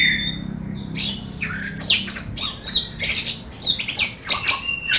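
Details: Kacer, or Oriental magpie-robin, in energetic harsh song: a soft opening whistle, then clusters of scratchy buzzy notes and sharp high squeaks delivered in short loud bursts.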